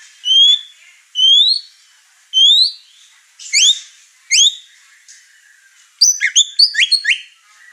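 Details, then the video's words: Over-excited white-rumped shama in a house with other birds; three upward-sweeping whistles about a second apart, two sharper rising notes, then a rapid cluster of jumbled high notes. "Murai Batu Over Emosi Bongkar materi Malah bikin ngamuk burung serumah"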